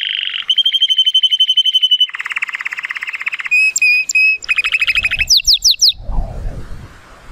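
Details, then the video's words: Timbrado Español canary singing powerfully on a sunny day, a male born in 2018 scoring 83 points: long rolling trills, a lower buzzy roll, clear whistled notes, quick upward sweeps, ending with low background noise. "The most PLEASANT Canary training song"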